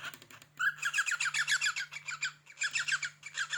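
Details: Pet cockatiel indoors, stirred by a finger scraping a cupboard door, gives a rapid, squeaky, gurgling chatter of short repeated pulses, pausing briefly midway before resuming, with a constant low hum underneath.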